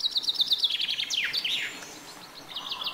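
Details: Chaffinch song delivered as a fast series of high, repeated chipping notes descending in pitch, closing with a sweeping downward flourish; another phrase begins faintly at the end.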